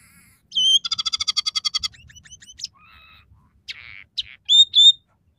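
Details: A scaly-breasted munia sings energetically in a three-variation song with sparrow, red siskin and canary fillers. A rising whistle leads into a quick buzzy rattling trill, then scattered soft chips, a low buzz and ringing high whistles at the end.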